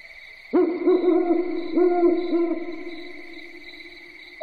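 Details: An owl at night gives two quick bursts of three or four low, wavering hoots, with a steady high insect whine throughout.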